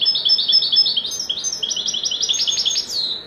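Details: European goldfinch singing a sustained, fast sequence of tinkling, twittering notes and thin whistles, ending in a rising, slurred note.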